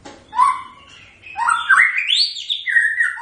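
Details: White-rumped shama (murai batu) giving smooth whistled phrases that climb steadily in pitch, then ease back down, following a few quieter notes at the start.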